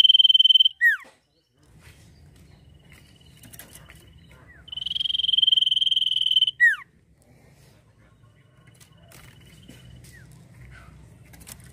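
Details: Two phrases from an actively singing sirtu, each a steady, rapidly pulsed high buzzy trill ending in a sharp downward-slurring whistle. Between and after the phrases there is a continuous low rumbling background.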